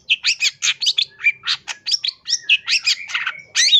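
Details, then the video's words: Long-tailed shrike (cendet) sings a rapid, varied jumble of harsh chattering notes, squeaky whistles and buzzy trills, about four bursts a second, with thin sustained whistles woven between; used as a tutor or lure song. "MASTERAN CENDET GACOR FULL ISIAN"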